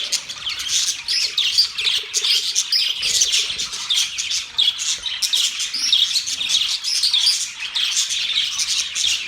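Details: Domestic budgerigars singing and chirping as a group, a busy stream of rapid high twitters and short squeaky notes, swelling and easing in small bursts throughout.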